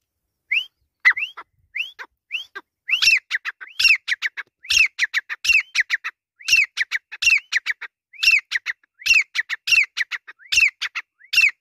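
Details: Grey francolin, locally teetar, calling: loud ringing whistled notes, at first spaced singly, then repeated in fast rhythmic rising phrases about every second, clear against a silent background.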